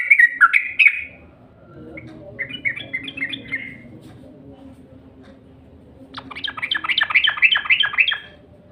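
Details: Yellow-vented bulbul lure call, played to draw other bulbuls into song: a few bright chirps, a softer twittering phrase over low background noise, then a rapid, buzzy run of sharp notes.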